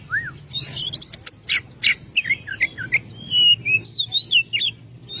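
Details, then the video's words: Oriental magpie-robin, Kacer, in long continuous loud singing: a burst of sharp high chips followed by a string of rich slurred whistles rising and falling, each note distinct, over a soft low hum. "Masteran burung Kacer/Klacer gacor dor nembak durasi panjang"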